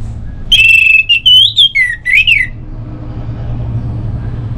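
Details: Orange-headed thrush song from North Bali, used as a lure to get other birds singing: loud, high whistled phrases rising and falling in quick succession for about two seconds, with a low hum behind.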